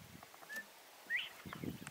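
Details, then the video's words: Male northern bobwhite in the morning giving a brief flat whistled note followed a half-second later by a sharply rising whistle, the two-part 'bob-white' phrase, with low rustling noise around it. "Bob-white! Music to my ears!"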